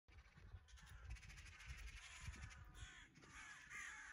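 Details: Crows give harsh, repeated alarm caws about every half second at a hawk that appeared after a neighbour released pigeons for the first time after winter, over steady low wind rumble; magpies also point out the hawk.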